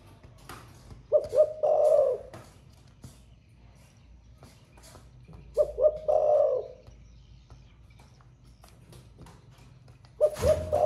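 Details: Caged spotted dove with a 'thổ pha' style song, newly begun and heard all day: three low cooing phrases of two short notes and a long trembling coo, spaced by several seconds, with light clicks and a final thump.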